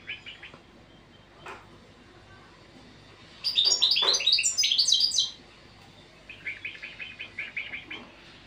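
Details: ['European goldfinch: scattered faint chirps, then a loud, fast, glittering twitter for about two seconds, ending in a rhythmic run of quieter repeated notes.']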